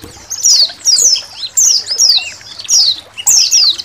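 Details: Training song of Indonesian white-eyes from a colony recording, with water trickling behind: bright, high downslurred whistles in short clustered phrases about every half second, with softer chirps between.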